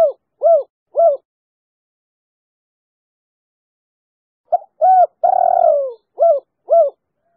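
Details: Female spotted dove calling in the 'kuk 3' style, used to lure other doves into song. Three short coos close one phrase. After a long pause a full phrase follows: a soft note, a coo, a long drooping coo and three quick coos.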